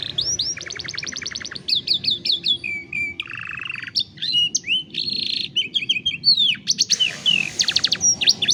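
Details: Canary song for training young canaries, recorded on a cellphone: quick trills of repeated notes, short rising whistles, a low buzzy roll and a harsher rattling stretch, delivered in changing fast phrases.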